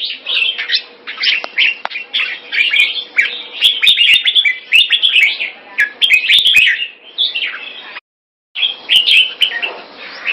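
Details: Red-whiskered bulbul kept in Singapore singing keke on command: long sequence of busy, varied warbles and chirps, a brief cut to silence, then more warbling over faint hum and clicks.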